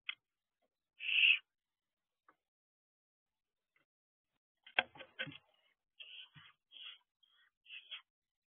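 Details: Two barn owl owlets on the owl box roof in the early morning dark: one loud raspy hiss, a long pause, then a cluster of clicks and several short, rough hissing bursts.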